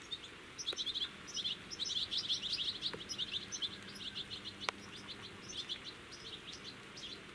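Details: Common linnet at a nest in blackthorn, filmed 13 July 2017, gives a rapid, steady run of high, dry twittering chirps, several notes a second, with a few faint clicks and a low background hum.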